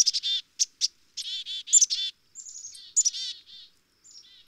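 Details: A Black-capped Chickadee gives quick bursts of sharp high notes and harsh, buzzy dee notes, with a few thin whistles between. No other sounds.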